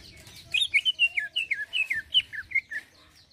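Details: Greater green leafbird singing a smooth 'isian halus' style song, a lively run of clear, rapid, whistled and slurred notes, rising and falling in quick succession, with some faint background rustle.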